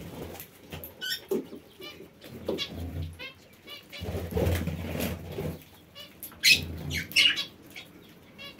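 Parakeets give sharp, high chirps and squeaky chatter in short bursts, over low rumbling, fluttering wings and other aviary noise.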